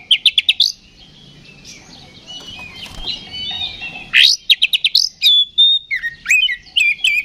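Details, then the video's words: Oriental magpie-robin in a combative ngeplong song meant to provoke rival magpie-robins; quick stuttered notes open, a quieter murmuring stretch follows, then another rapid rattle of five notes and varied sharp whistles. "KACER GACOR NGEPLONG TARUNG !! PANCINGAN KACER PALING AMPUH BUAT MENAIKAN EMOSI KACER AUTO RESPON"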